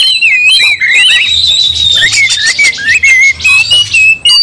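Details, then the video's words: Angry Oriental magpie-robin, provoked into fighting mode, with other magpie-robins roused. A long sustained whistled line slides up and down, laced with buzzy ticks and brief gaps toward the end. "Kacer langsung TARUNG bongkar emosi bikin kacer lain ikut dongkrak amarah"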